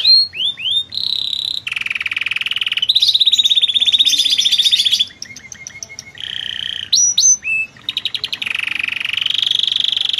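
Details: Loper-type canary singing a long varied song with an admired melodic phrasing style: hooked whistles, long rolling trills at several pitches, pulsed buzzy rolls and short upslurs, delivered continuously and loudly.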